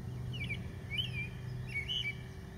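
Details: Leucistic American robin singing: three short, clear whistled phrases, each rising then falling, spaced under a second apart, fairly faint over a steady low hum and a thin high tone.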